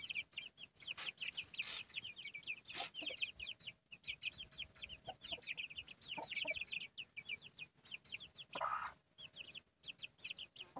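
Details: Dense peeping from a brood of chicks with their mother hen, a continuous run of high, falling cheeps with scattered louder clicks and knocks and a brief harsh note toward the end.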